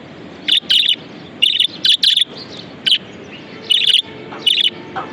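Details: Pet budgerigar chattering in bursts of bright, buzzy chirps, some doubled or tripled, roughly a dozen notes over five seconds with short gaps, over a soft hiss.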